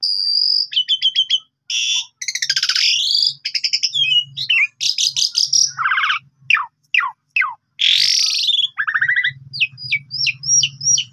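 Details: Vigorous Asian pied starling song from Indonesia, used to tutor and provoke other birds: harsh buzzy rasps, rattling note bursts, steep falling whistles and a closing series of short upswept squeaks, over a faint low hum.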